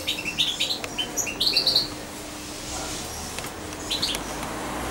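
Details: A hand-reared European goldfinch about two months old, once syringe-fed and kept close to its keeper, gives bright, high twittering chirps in quick clusters during the first two seconds, then scattered single notes over a faint steady hum.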